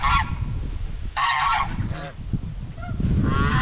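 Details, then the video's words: Domestic white Chinese geese on a homestead farm, grazing and socializing; loud, harsh, broad honks, one long blaring honk in the middle and others at start and end, over low background rumble. "Eight Minutes of Natural Farm Sounds | White Chinese Geese"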